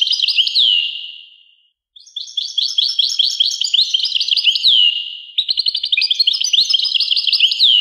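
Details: European goldfinch singing a pure, lively song: buzzy descending notes and fast liquid twittering phrases running almost continuously, with a short gap early on.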